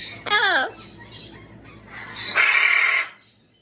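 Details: Amazon parrot giving a short wavering harmonic call, then a quieter pause and a long, loud, harsh squawk held for over half a second.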